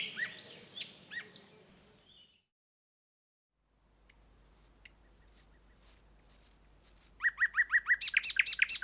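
Song Thrush singing loud, varied phrases, each repeated a few times: a series of thin high notes, then rapid ringing triplets, after a short pause.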